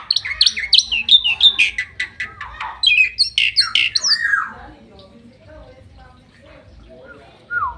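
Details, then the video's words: Bali myna singing from its owner's hand in Bali, 2023: a fast series of sharp squeaky chirps and slurred whistles, about three per second, trailing off into quiet room noise before one last note. "Burung Unik Berkicau di Tangan Pemiliknya - Burung Hiasan Di Bali 2023 Burung Jalak Nusa Bali"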